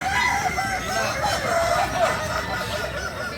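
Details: Kukuak Balenggek chickens, a breed native to Solok, West Sumatra, crowing together: several overlapping rooster crows with wavering harmonic notes, layered into a continuous dense chorus.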